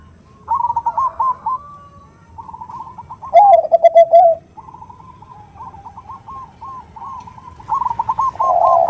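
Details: Female perkutut, or zebra dove, calling for males as a lure: repeated trilled coo phrases with a loud burst of rapid descending notes near 3–4 seconds and another rising at the end, with background dove cooing throughout.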